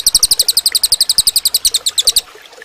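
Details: Cililin song used as a training recording for other birds: a fast, even string of bright, high chirped notes, about eight per second, lasting two seconds, then stopping.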